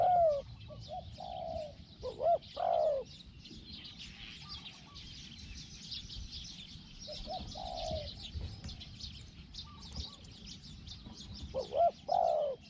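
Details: Spotted dove calling during a decoy session meant to lure a wild bird. Scattered hoarse coos, a few sharp upswept notes, then long pauses, with constant buzzing insects and rustle in the background.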